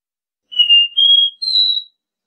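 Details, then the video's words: Copper seedeater, the caboclinho, sings its Dó Ré Mi song used to teach young birds: three clean whistled notes, each held about a third of a second and stepping upward in pitch, over total silence. "Canto DÓ RÉ MI 3 NOTAS...ENCARTE IDEAL PRA ENSINAR E FOGUEAR SEU CABOCLINHO"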